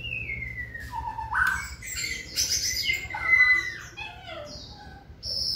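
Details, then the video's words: White-rumped shama singing during stamina training: long clear whistles sliding down, then a burst of rich, varied warbled phrases and a high steady whistle, over a low background hum. "Tập lực cho lửa bó lông (shama bird)"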